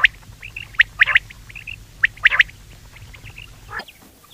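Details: Common quail call used for hunting: sharp whistled notes near the same pitch, given in quick pairs and triplets with short pauses between bursts, over a low steady hum.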